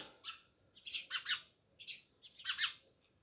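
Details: House sparrows near a village house at Jamnagar, several birds chirping in short harsh bursts, clusters of two to three notes repeated irregularly with brief pauses between.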